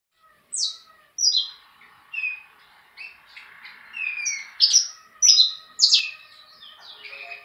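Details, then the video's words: Saffron finch singing a phrase of sharp, bright chirps that sweep steeply downward from high pitch, delivered in uneven bursts roughly twice per second over a faint steady background hum. "Canario da terra Efetivo!"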